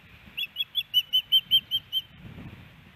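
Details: Osprey female at her Missoula, Montana nest in Hellgate Canyon, May 18, 2019, calling for her mate on a nest camera. A run of nine shrill whistled chirps plays over a low rumbling background.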